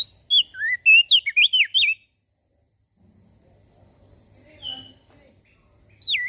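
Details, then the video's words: A Javan grey-throated white-eye in full voice, whose song reportedly sets other birds calling: a two-second run of rapid, wavering, slurred whistles, quiet with faint low rumble, then one more looping whistle at the end. "Opior Jambul Gacor Suaranya Memancing emosi Langsung Burung Lain Ikut Bunyi"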